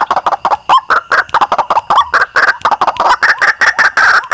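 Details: Lure recording of a white-breasted waterhen used by hunters in Indonesia: a fast, dense run of rough, grating notes that pulse rapidly and without pause for over four seconds.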